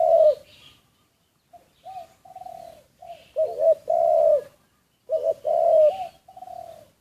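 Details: A decoy spotted dove, secretly recorded, gives low hollow coos in phrases. Soft short notes build to loud rolling coos around the middle, with another strong coo phrase near the end.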